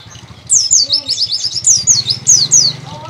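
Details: Pleci dakun white-eye singing persistently: a run of high, thin, downslurred whistled notes in quick succession, with a low hum and faint voices underneath.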